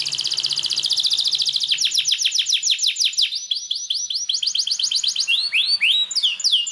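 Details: Canary of the Belgian breed in full song, used as a stimulus for other canaries: it opens with a dense, rattling trill, shifts to a quick run of sharp descending notes, then to slower, ringing, upward-swept whistles.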